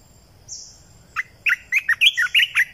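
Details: A Red-eyed bulbul kept as a decoy opens with a thin high note, then pours out a fast chatter of about seven gurgling, bubbly notes in just over a second over a quiet background.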